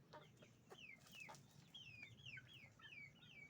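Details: Chickens on a chicken farm with roosters and hens: high, thin peeps that slide downward, repeated about once a second, mixed with short clucks and a low background hum.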